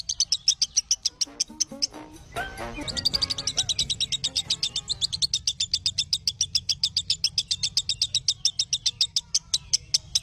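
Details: Lovebird song used to train other lovebirds: brisk high chirps, a brief burst of lower harsher chatter early on, then a long fast even run of shrill chirps over low background noise.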